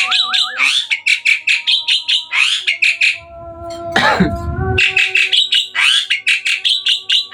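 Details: Hybrid Asian pied starling singing hard at night: rapid harsh chattering phrases with a brief wavering whistle, broken by one loud descending squawk.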